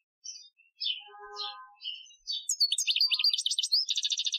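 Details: Algerian-style European goldfinch training song from 2015, opening with scattered thin chips and a few steady lower whistled tones, then breaking into a fast, bright, rattling twitter of high notes that runs to the end.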